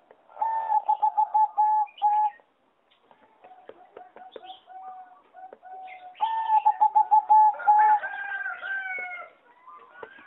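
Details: Singing zebra dove of a competition-bred line, caged in a flight aviary on 26 April 2014: bursts of rapid staccato coos, a quieter pause of low notes, then another fast coo series with other birds twittering behind.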